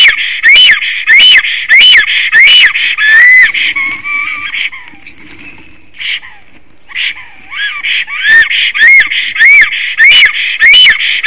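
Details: Black stork returning home to its nest in Latvia in spring, 13 April 2019 at 9:36 in the morning, singing: loud rapid series of wheezy, rising whistled notes, a quieter pause with soft scattered notes, then another fast burst of rising wheezes.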